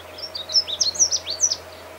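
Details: Canada warbler singing a quick, jumbled burst of sharp chips and slurred high notes, some rising, some falling, delivered in rapid succession over about a second and a half against a faint steady hum.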